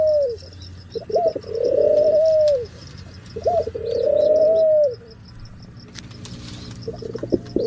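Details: Male pigeon's mating call: deep, rolling coos, a short rising note, then a long throaty arching coo, repeated twice, with faint high chirps of other birds in the background.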